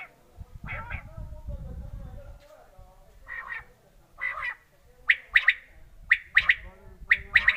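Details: Quail call: scratchy paired notes repeated roughly once a second, with muffled low background sounds at first, then sharp, loud, clipped bursts toward the end.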